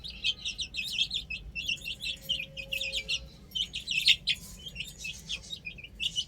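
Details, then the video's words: A group of young chickens on a roof chirps constantly in loud, high, overlapping peeps, with peaks around one and four seconds. "Adorable Chicks Chirping Sounds"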